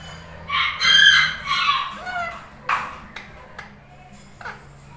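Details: Two tame pet Indian ringneck parrots, one a lutino, bonding and talking together; loud harmonic, voice-like bursts in the first two seconds, then shorter sharp notes and quieter chatter fading out.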